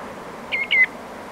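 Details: A Common Greenshank gives two quick, clear, ringing whistled awareness-call notes at a steady high pitch in the Camargue, with a distant Redshank and a soft rush of surf and wind.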